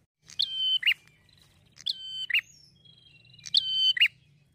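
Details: A prinia, used as a lure to draw responses from prinias, gives three bright, high phrases about a second and a half apart, each a sharp note, a level whistled tone and a clipped final note, over a faint low hum.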